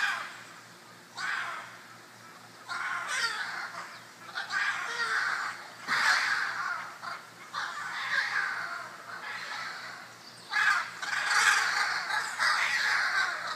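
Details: Fourteen scarlet macaws trade harsh, raspy, grating squawks in long overlapping bursts every couple of seconds while squabbling over a prime perch in a backyard near Tárcoles, Costa Rica.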